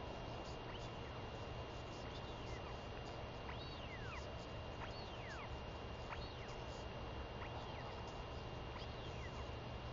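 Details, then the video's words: Vocal northern royal albatross chick begging from her mother, home after a week away, 23 May 2021; a run of bright arched whistles, rising then sliding down, roughly one per second, backed by steady wind roar. "Royal Albatross ~ Beautiful LGL Comes Home & Gives A Good Feeding To A Very Vocal Tiaki!"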